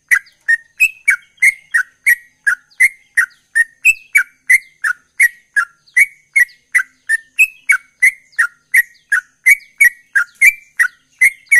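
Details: Sooty-headed bulbul in full, energetic song: short clear whistled notes, each slurred and slightly wavering, repeated about three times a second in an unbroken, fairly regular string, a few pitched a little higher, with no other sounds.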